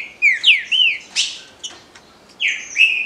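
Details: Paraná liso batido song of a green-winged saltator, clear whistled phrases that swoop down and level off, one phrase opening and another closing, with sharp high clicks between.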